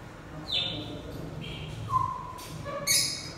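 Gouldian finch giving a few scattered, thin whistled and nasal notes at varied pitches, ending in a harsher, buzzier note over a low background rumble.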